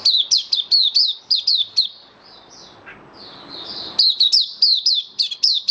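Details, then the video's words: White-eye in captivity, 18 May 2022, post-deworming: fast high chirping phrases of downward-sweeping notes, a quieter warbled interlude in the middle, then the rapid shrill chirps resume. "Mata Puteh Kitaro buka sing"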